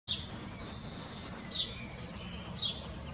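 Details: A house sparrow (Passer domesticus) on the neighbour's roof, very talkative, gives three short, bright chirps about a second apart over a steady low rumble of background noise.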